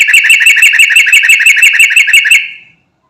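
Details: Sooty-headed bulbul of the type known locally as trucukan garuda, calling to its companions and offered as a lure for other birds: a fast, even string of about fourteen bright chattering notes in under three seconds, then silence.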